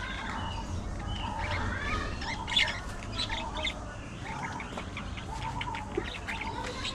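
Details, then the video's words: Budgerigar chatter runs on continuously: scratchy squawks, brief whistled wiggles and clicks layered together over low background noise. "Budgie Moments: Gossip"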